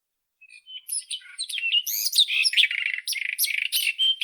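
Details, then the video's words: White-throated robin song: a fast, varied jumble of scratchy, chattering and whistled high notes, rising and falling, packed in dense bursts about four per second with no other sounds. "Как поёт Соловей белошейка (Irania gutturalis)"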